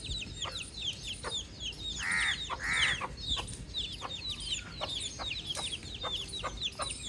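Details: Baby chick outdoors uttering fast, high, descending peeps, broken early by two drawn-out, richer calls in quick succession before the stream of chirps continues.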